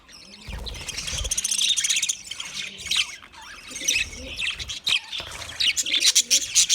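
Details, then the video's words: Several budgies chirp and twitter in lively, high, squeaky bursts that build toward the end, with faint low cooing in the background. "Natural Budgie Parrot video , Birds chirping sounds"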